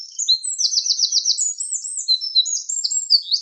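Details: Long burst of Eurasian wren song, high and hurried, mixing a fast trill of repeated notes with many varied, sharp whistles and twitters, nothing else audible.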